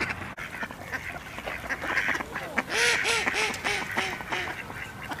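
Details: Khaki Campbell ducks calling in a group, rough nasal quacks mixed with a run of short, rising-and-falling honking notes repeated several times a second.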